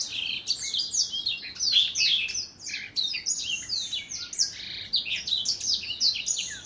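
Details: Continuous high warble from an older black-throat, quick twittering notes and downslurred whistles packed tightly together in an unbroken, cheerful stream.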